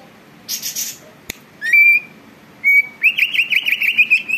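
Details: Greater green leafbird in full song, meant to provoke other birds into singing and agitation: a few buzzy bursts, two sustained clear whistles, then a fast wavering trill of rapid whistled notes.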